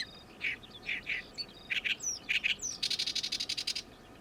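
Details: Oriental reed warbler, a summer migrant newly returned for the season, singing loudly and noisily with its gyo-gyo-shi song: harsh grating notes in pairs, then a rapid rattling run of about a dozen clipped notes, with faint background chirps.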